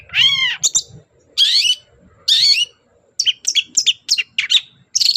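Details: Morning song of a long-tailed shrike provoking other birds to answer: three drawn-out harsh nasal notes spaced about a second apart, followed by a rapid series of sharp, varied chips and whistles.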